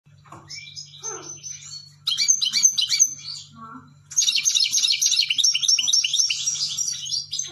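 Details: European goldfinch singing: soft twitters at first, then bursts of rapid, high, tinkling and buzzy notes that run into a long, fast, liquid twittering phrase, over a steady low electrical hum.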